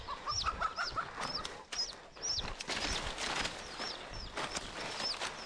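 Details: Chicks of wild chickens taken from a flock near a forest work place. Scattered high, down-slurred peeps and a few lower trilled notes sound over rustling and handling noise.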